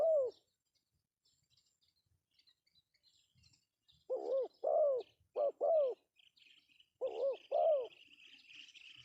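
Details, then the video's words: Male spotted dove giving its lure call, rounded cooing notes in phrases of two to four after a long silent gap, with faint distant bird chirps and a thin hiss near the end. "suara panggilan Tekukur pesom Cocok untuk pancingan"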